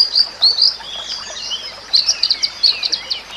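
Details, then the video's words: White-rumped shama song, recorded for training other shamas: high, sharp chirped notes in short bursts, then a quick run of clipped rising notes near the end. "Kicauan Murai Batu yang Menggoda Telinga"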